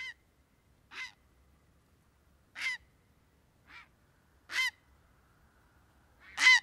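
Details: Grey heron (Ardea cinerea) giving harsh, honking croaks, six short rasping bursts at uneven intervals, against a quiet background with a faint low rumble.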